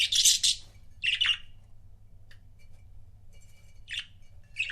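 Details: Pet budgerigar couples chirping: a loud, buzzy burst opens, followed by scratchy chirps at roughly one-second spacing, with faint thin steady tones between them and a low background hum.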